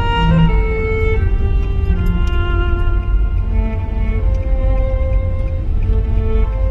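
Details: Dark, sustained string music plays over a heavy low drone, with no animal calls.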